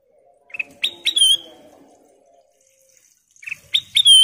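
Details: Sooty-headed bulbul of golden colour singing two phrases about three seconds apart. Each has quick chips leading into a loud, pure, slightly falling whistle, over a quiet low hum.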